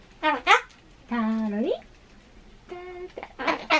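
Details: Pet Ducorps's cockatoo talking indoors at home, lately fond of answering "hai" and then saying "konnichiwa"; a drawn-out rising voiced syllable, a flat steady tonal note, then short bursts of speech-like chatter.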